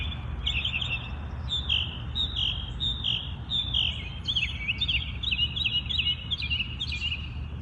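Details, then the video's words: A bird in its natural habitat on an early morning sings bright, clear chirps that repeat roughly every second. The notes come faster and overlap toward the end, against faint low background noise. "Listen to the birds sing"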